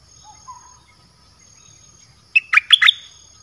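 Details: Red-whiskered bulbul, dok taeng song style, used to lure wild birds: after quiet with a faint soft whistle, one loud, short phrase of three or four rich chirping notes.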